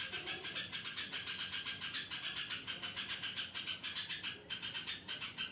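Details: At night a yellow-vented bulbul gives an odd, strange-sounding call of grating, buzzy pulses repeated rapidly and evenly, nearly four per second, with one short gap near the end.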